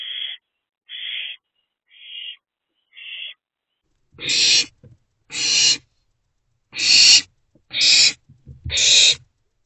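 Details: Owlet trio inside a nest box on the morning of 13 April 2024; four thin, short hisses followed by five louder, broader rasping hisses spaced about a second apart.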